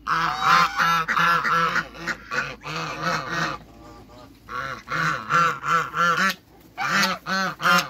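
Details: A backyard pair of African geese, living among other waterbirds, giving rapid series of short, harsh honks in rhythmic bursts, with a quieter pause midway before the honking resumes.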